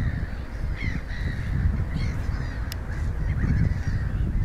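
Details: Little gull recorded in Espoo, Finland, on 29 April 2019: short nasal calls given in loose series over steady low wind rumble, some notes rising slightly.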